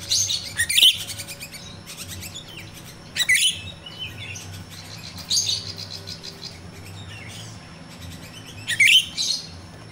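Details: Rio-Rio myna (jalak Rio-Rio) in the wild, recorded in nature and used as a lure for training captive birds. Four short bursts of high, chattering, scratchy notes mixed with sharp whistles, spaced a few seconds apart over quiet background hum.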